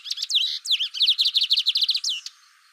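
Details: Lined seedeater singing: a few varied sliding chirps open the phrase, then a fast run of about twelve sharp, evenly spaced high notes, ending in a falling slur; no other sounds.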